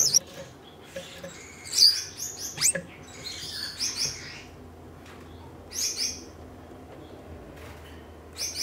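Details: Red-headed Gouldian finches, a caged breeding pair in their third season together, courting just after pairing; high thin chirps and buzzy notes come in short scattered bursts with quiet gaps between them.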